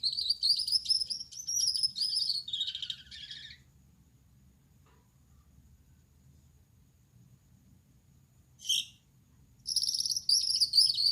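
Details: Male Gouldian finch with yellow back, red head and white chest singing at night: a few seconds of thin, high, buzzing song, a long silent gap, one short note, then the buzzy song resumes.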